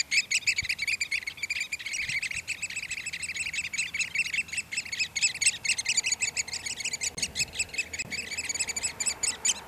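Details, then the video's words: Displaying oystercatchers at Port Carlisle, Cumbria, filmed through a spotting scope, keep up a fast, shrill piping trill, with many birds overlapping in unbroken, pulsing rhythm and some background noise. "Oyster Catcher Display"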